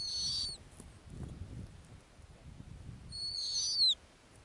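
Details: Snowy owl on its ground nest in the Arctic, giving two high thin whistles with bright overtones, each about half a second and ending in a downward slur, roughly three seconds apart, over a faint low rumble.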